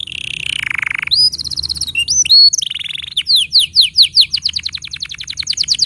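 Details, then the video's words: Canary master song for young canaries and for birds that have gone quiet. A buzzy roll drops in pitch, then come high chattered notes, sharp upward slurs, another rasping roll, and a fast string of descending whistled notes. "Masteran Untuk Kenari Paud Dan Pancingan Kenari Macet Bunyi"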